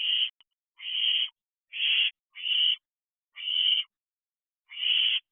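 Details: Owlets in an owl box at 12:34 am, 1 July 2023, give breathy hissing screeches in an uneven series, each about half a second, with silence between.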